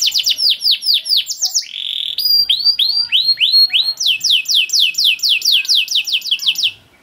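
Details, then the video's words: Canary in long 'cuit cuit' song, recorded as tutor material for young canaries: high downward-sweeping whistled notes, a flat buzzy note, then quick slurred notes in a rapid series, stopping abruptly near the end. "Long Cuit Cuit Canary Masteran For Early Childhood Canary Baits to Sound Quickly || Voice of Canary"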